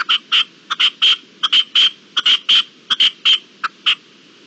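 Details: Red-legged partridge calling as day breaks, 18 April 2021: loud, rhythmic series of harsh chuffing notes, clustered in pairs and triplets, repeated at a steady rapid pace.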